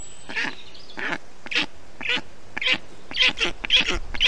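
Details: Nestling black storks in Estonia, June 2021, calling during hot weather as the adult brings water and wet moss to cool them; rasping, quacking calls repeated roughly twice a second, quickening toward the end.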